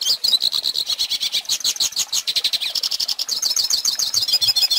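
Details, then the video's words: A goldfinch sings a fast, unbroken stream of bright, tinkling twitters and trills, high-pitched and jumbled, running without pause throughout; song meant for teaching young birds. "Pintassilgo Cantando"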